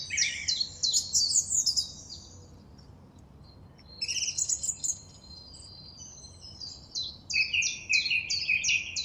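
A song thrush sings bright, varied phrases of clear and scratchy notes, with a short phrase repeated several times near the end and quiet background hiss.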